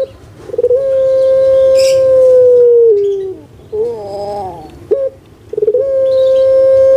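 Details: Indonesian pet collared dove of the puter pelung kind, prized for a sweet, steady voice: a long sustained hoot that dips at the end, a gurgling wobble, then another stuttered start to a held note.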